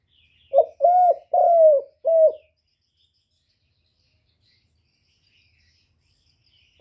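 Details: Spotted dove decoy cooing used to lure wild doves: one low mellow phrase of four notes, a short lead-in then three drawn-out coos, the middle one longest. Silence follows.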